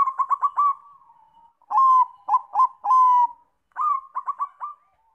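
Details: Bangkok-type zebra dove (perkutut) song used as a lure to set other doves singing. Rapid bursts of four or five short cooing notes alternate with longer drawn-out coos, in three loud phrases.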